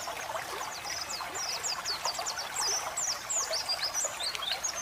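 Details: Pet white-eye training song with a water-flow effect: a fast run of high, thin chirps and zigzag whistles, nearly continuous, over constant babbling water.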